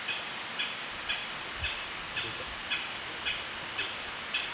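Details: Japanese Green Woodpecker in a forest at Hatto, Tottori Prefecture, Japan, 25 June 2021: a run of eight short, sharp, high notes, spaced evenly about twice a second, over a steady background hiss.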